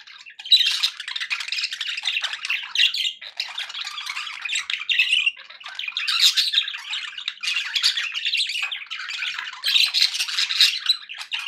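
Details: Happy pet budgies chattering together: dense warbling and scratchy chirps in long bursts of two to three seconds, separated by brief pauses.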